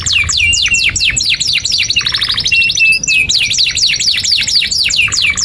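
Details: Canary giving long 'gacor' song, 'cuit cuit nembak' style, to prompt young canaries to learn: repeated V-shaped swooping notes, a dense buzzy trill in the middle, then a run of steady swoops.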